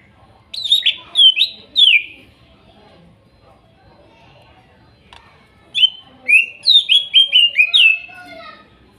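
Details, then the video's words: Greater green leafbird, wild-caught stock from Kuningan, young birds used as therapy for a bird that stopped singing: two bursts of sharp, descending whistled notes, about three then seven in quick succession, separated by a quiet gap. "TERAPI CUCAK IJO MACET BUNYI BAHAN HUTAN KUNINGAN TROTOL DAN NOPENG"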